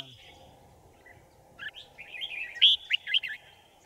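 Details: Red-whiskered bulbul singing at a trap meant to lure wild birds, January 2018: a thin early note, then a climbing string of bubbly whistled phrases peaking in loud, bright notes, followed by a man's brief voice.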